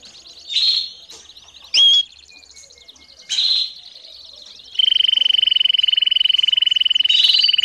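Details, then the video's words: Domestic canary singing and calling for young birds to learn from: several separate bright chirps, then a long, level, rapidly pulsed trill lasting about three seconds. "CANÁRIO DO REINO CANTANDO E CHAMANDO ÓTIMO TREINO PARA FILHOTES!!!"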